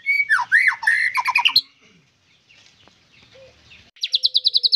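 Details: White-rumped shama giving a burst of loud, rich warbled phrases, a quiet pause, then a rapid series of sharp repeated notes at about three per second.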